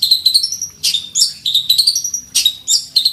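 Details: Fighting long-tailed shrike singing with borrowed phrases as it challenges a rival: thin whistles held near one pitch alternate with harsh, noisy bursts, forming irregular, varied phrases.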